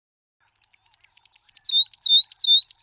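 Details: Northern grosbeak-canary (Crithagra donaldsoni) giving a fast run of high, clear whistled notes that swoop and dip, starting after half a second of silence and continuing steadily to the end.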